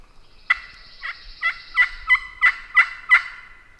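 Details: Wild turkey on heavily pressured public land in the South, in the morning during a hunt: a run of about seven raspy yelping notes, roughly three a second, growing louder toward the end over a faint high hiss.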